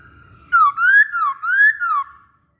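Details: Masked laughingthrush, actively singing, recorded as a lure for other birds: loud, clear whistled phrases that swing up and down in smooth arcs, four connected notes in about one and a half seconds, with no other sounds.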